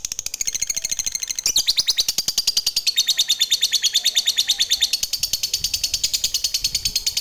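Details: Long ngekek from a fighter lovebird, played to stir other lovebirds to sing: an unbroken, very fast series of high, scratchy chattering notes lasting several seconds, with a slight change in tone near the start.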